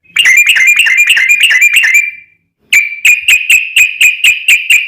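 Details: Yellow-vented bulbul singing persistently in the long 'ropel' style, played to draw other bulbuls into song: a dense, tumbling burst of chattering notes, a brief pause, then evenly spaced bright ringing notes.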